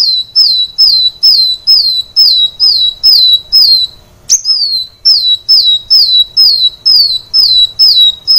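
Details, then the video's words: Kolibri wulung sunbird singing nonstop as a training recording for caged birds: a steady series of sharp, high whistled notes that slide downward, repeated about twice a second, with one louder rising chirp midway. "Kolibri Wulung ngedan | masteran Kolibri Wulung | Kolibri Wulung gacor | kicau Kolibri Wulung"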